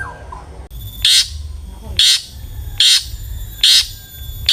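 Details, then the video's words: Long-tailed shrike used as a lure to get other shrikes singing, giving loud harsh rasping notes about once a second, each a short noisy burst, with low background rumble. "suara burung CENDET GACOR ampuh pancingan CENDET AGAR BUNYI"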